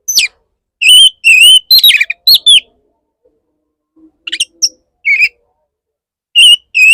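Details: Male Oriental magpie-robin singing to court a female: loud whistled phrases with clear flat notes and sharp downslurred chips in quick bursts, a pause, then scattered shorter notes returning near the end.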